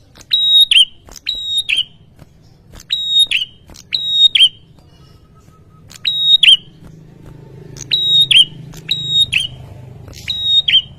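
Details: Male bar-winged prinia in full persistent song to goad rival males into replying. Doubled high whistled phrases, each a click, a held shrill tone, then a quick downward flick, repeat steadily over a low droning background.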